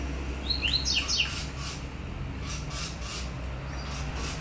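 A seedeater gives a quick burst of high, sharp chirping notes, then fainter scattered twitters, over a steady low hum.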